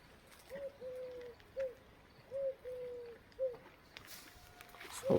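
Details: A dove on a farm in the countryside gives soft, hollow coos in a three-note phrase (short, long, short), heard twice, ending in a burst of wing flutter as it flies off.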